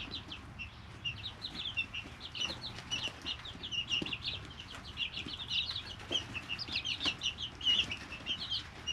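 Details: Three-week-old domestic chicks in an indoor brooder, many birds peeping together: dense, high, short chirps that dip and rise, overlapping continuously, with occasional scratching and rustling thuds beneath.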